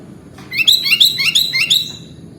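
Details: Sooty-headed bulbul (kutilang) in 'gacor' masteran song: a run of about six bubbly, rising-and-falling chirped phrases delivered rapidly over roughly one and a half seconds, with a faint low hum underneath.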